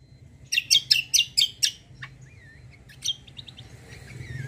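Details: Kecial kombo white-eye used as a lure for answering birds: six loud, sharp, high chirps in a fast even series, then softer twittering and thin, wavering whistled notes.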